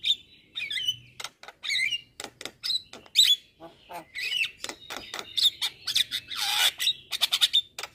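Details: Javan myna training song for songbirds, loud and full of varied phrases: high whistled notes and warbled slurs alternating with rapid clicking and raspy squawking bursts, ending in a dense harsh chatter.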